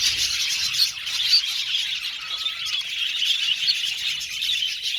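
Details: Budgerigars in an aviary colony, a dense chorus of many birds chirping and warbling at once, a continuous high chattering wash with brief sharper squeaks rising above it.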